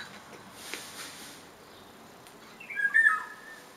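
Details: A Eurasian golden oriole in a village in Segovia, Spain, gives one short, fluty, mellow whistled phrase near the end, after a few quiet seconds with faint background hiss.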